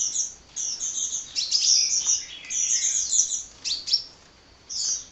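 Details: Hummingbird chirping on and on in high, squeaky twitters and short trills, a brief quiet spell before one last burst at the end.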